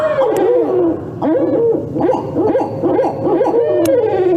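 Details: Barred Owls caterwauling, typically heard in the middle of the night: loud, wild, overlapping hoots and cackles that swoop up and down, tumbling out about once a second with no steady rhythm, sounding like monkeys or rabid coyotes.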